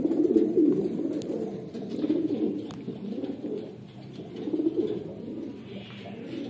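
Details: Lahore fancy pigeons of the red Siraji type produce deep, resonant coo bursts that swell roughly every two seconds, with softer throaty murmuring between them.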